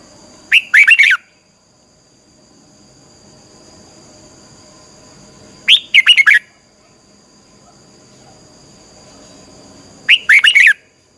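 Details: Red-whiskered bulbul 'xoắn tít' training song for stirring birds into fierce singing: three brief, loud phrases of rapid looping whistled notes, repeated roughly every four and a half seconds, separated by near-silence with soft hum.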